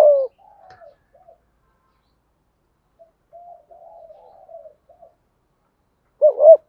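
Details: Decoy spotted dove, 'giọng thổ' voice, calling to draw wild doves: a loud coo fragment at the start, quiet low murmured cooing through the middle, and a strong wavering double coo right at the end.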